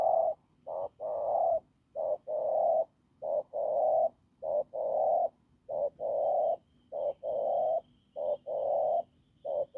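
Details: Wild field spotted dove delivering hoarse, strong coos: repeated couplets of a short clipped note and a longer throaty coo, evenly paced through the recording, with a faint high tone in the background.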